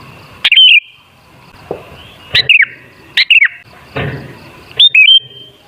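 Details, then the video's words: Sooty-headed bulbul song used as a lure to make bulbuls sing: short bright warbled phrases of a few quick notes, each ending in a held whistle, repeated at irregular intervals with quiet gaps and faint low background noise. "Suara Burung Kutilang Sangat Ampuh Untuk Pancingan Jadikan Kutilang Ngamuk Gacor"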